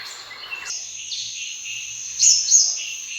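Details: Sunbird, recorded as a hunting lure call, giving a high, thin sustained trilling note with sharp upward flicks and brief whistled slurs, very high-pitched throughout.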